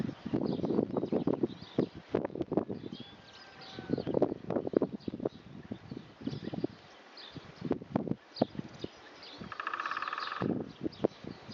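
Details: Drumming of a great spotted woodpecker recorded far off, the bird keeping its distance; a single quick, steady roll of taps near the end, with heavy crunching steps and rustling throughout.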